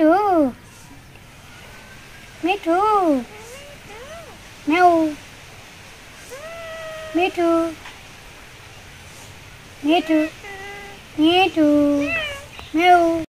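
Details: Pet talking Indian ringneck parakeet in Bangladesh, 24 November 2023, producing loud, clear speech-imitating syllables in short bursts, arched rising-falling notes, some doubled, repeated several times over about thirteen seconds with quiet gaps between.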